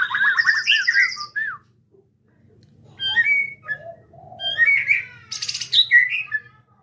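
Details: Jabo-type white-rumped shama from Cipinang Muara, Jakarta, giving scattered song phrases: a fast twittering whistled burst, a pause, then short whistles, a soft low note and a high buzzy rattle, all separated by brief silences.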